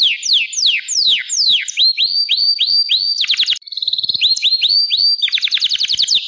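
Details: Gloster canary singing a series of loud sweeping downslurred whistles, followed by a steady tone and a burst of rapid chopped notes.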